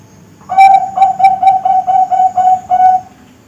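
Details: Perkutut Bangkok (zebra dove), a young kept bird: a steady string of about eight mellow, whistled coos of even pitch and spacing, the last slightly longer, with faint hiss behind.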